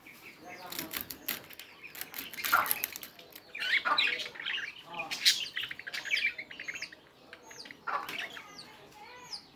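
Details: Budgerigars chattering in a busy, continuous stream of short squawks, chirps and arched warbled notes, several overlapping, with brief pauses between bursts.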